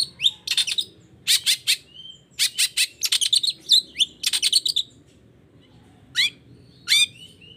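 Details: Toet toet song of a long-tailed shrike, played to make reluctant shrikes start singing: quick clusters of harsh clipped notes mixed with short rising whistles, then two isolated sharp calls after a pause.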